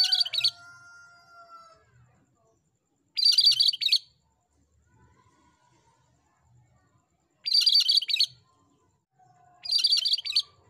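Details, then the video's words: Tutor recording of an energetic cream-striped bulbul (cucak kerinci): four loud, buzzy, chattering bursts at irregular gaps of one to four seconds, with faint, drawn-out, lower whistled notes between. "Masteran Burung Cucak Kerinci Gacor"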